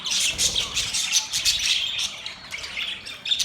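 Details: Budgerigars chirping together during mating: overlapping high, buzzy squawks and quick tweets, rapid and uneven, several short chirps per second.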